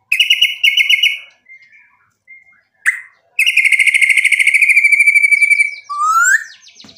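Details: White-rumped shama, a gacor (in full song) bird used as a lure to provoke other birds, delivering loud whistled phrases: repeated notes near the start, then a long rapid trill of even notes and a rising slurred whistle.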